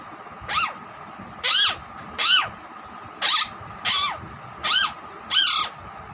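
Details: Pet Alexandrine parakeet (raw parrot) known for copying a hen, whistling and talking. Seven loud, harsh, down-arching squawks come at irregular intervals of roughly a second, each short and rasping.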